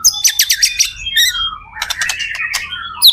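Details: Rich, varied white-rumped shama song meant to stimulate other shamas to sing in reply: dense stacked whistles and quick chirps, a falling slurred note, then a buzzy churring passage and a final bright whistle.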